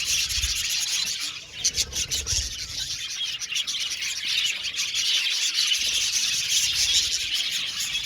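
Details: Australian budgerigars in an aviary colony, many birds twittering and chirping at once in a thick high chorus; a few low thumps are heard near the start.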